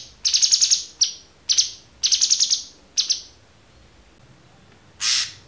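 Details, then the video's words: Cucak cungkok with a clear voice, used as a training song for songbirds; quick stuttering runs of high chirps alternate with single notes, then a pause and one brief rasping burst. "MASTERAN AMPUH CUCAK CUNGKOK suara jernih"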